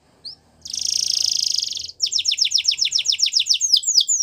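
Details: Canary song for training: after a short chip, a dense buzzing rattle lasts over a second, then a run of quick falling notes gives way to slower, wider downward slurs.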